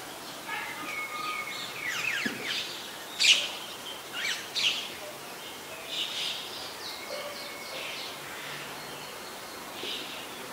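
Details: White-vented myna in Ubon Ratchathani, Thailand, 21 October 2021, giving loud chattering bursts of harsh, buzzy notes mixed with short whistles, clustered around the third to fifth seconds, then softer chatter over constant outdoor noise.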